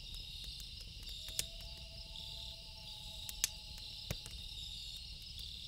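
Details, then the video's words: Loon calling at night: long, smooth, mournful tones held for several seconds, one pitched slightly above the other, over a steady high chorus of crickets and sharp pops from a crackling campfire. "1 Hour Loon Calls With Campfire Sound - Loon Calls For Relaxing"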